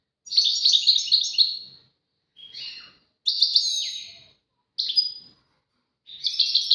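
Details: Tawawati and tbatbati phrases from a European goldfinch, given as a duet: five separate bursts of twittering and buzzy slurred notes, including a clear sharp whistle, with silent gaps between them.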